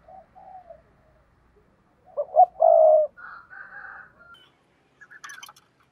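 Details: Spotted dove giving a "thúc bổi" coo meant to draw in wild doves. A faint coo comes first, then a loud phrase of two clipped notes and a sustained low hoot. Higher, quieter notes follow, with a brief chirp at the end.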